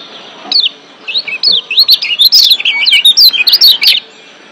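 Lombok white-eye in a fast, high, twittering warble of short rising and falling whistled notes, bursting out for about three and a half seconds.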